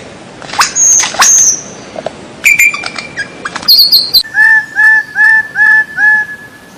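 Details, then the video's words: White-rumped shama training song for captive birds: scattered high whistles and sharp notes, then a run of even, pure whistled notes repeated about every third of a second. "MASTERAN MURAI BATU SUARA ANEH"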